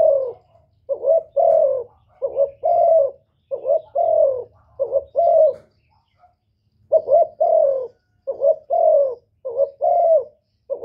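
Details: Spotted dove cooing to challenge males: rhythmic series of low, rounded coos, each phrase pairing a brief hiccup-like note with a longer falling one, broken by a short pause midway, over light background hum.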